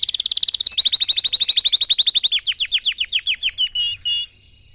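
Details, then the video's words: Singing red factor canary, for other birds to learn from: a loud fast trill that slows into a string of separate downward-swept notes, then two short buzzy phrases. "Canary-Xem video này cho chim yến của bạn tập hót|Red Factor Canary Singing"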